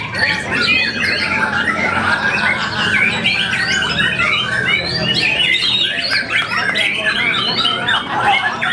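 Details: White-rumped shama giving a fast, varied song of squeaky and whistled notes with repeated rising figures, continuous over a low background hum.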